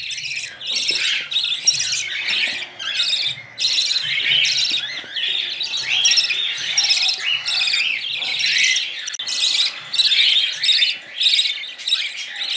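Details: Budgerigar chicks being hand-fed baby food: harsh, buzzy, high begging rasps in rapid pulsing bursts, almost continuous over the whole stretch, indoors with faint low background hum.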